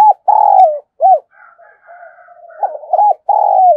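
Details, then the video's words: Caged decoy spotted dove giving urging coos and calling song, in the voice style called 'giọng thổ', used to lure wild doves; a long buzzy coo, a short arched note, soft murmuring, then clipped arched notes and another long coo, quiet background. "Chim Cu Mồi Thúc Gù + Gáy Gọi"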